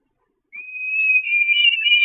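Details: Peregrine falcon chicks begging at the Catharinakerk church nest on 5 May 2021, very hungry and mobbing the mother: a single long, thin, slightly wavering whine that starts abruptly and swells steadily louder.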